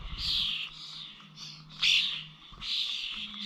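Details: Starlings recorded on 21 November at the Corby Old Village bird feeders: a few harsh, hissing calls with one louder rasping note in the middle, over a soft low drone.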